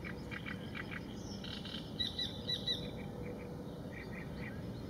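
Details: A young little grebe, recorded in Mikołów, Poland, early on the morning of 22 June 2019, gives thin, high peeping notes, about two a second, with a brief run of sharper whistled peeps, over a steady low rumble.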